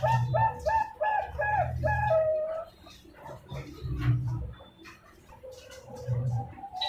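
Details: Two-month-old captive zebra dove from Pasuruan, East Java, Indonesia, hatched November 2021, delivering quick bubbling coo phrases that end in a drawn-out note, then softer trailing coos over a low rumbling background.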